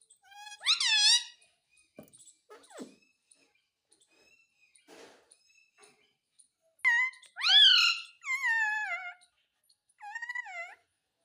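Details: Indian ringneck parakeet indoors, a talking bird: loud, strongly harmonic voiced calls with wavering pitch. There is a bold burst near the start, soft clicks and scrapes in the middle, then a run of rising-and-falling calls toward the end.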